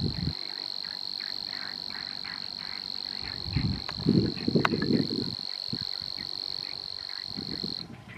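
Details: Monotone, continuous insect-like reeling of a Savi's warbler at Poça do Vau, the high buzz running unbroken while frogs croak in low bursts beneath it, loudest in the middle.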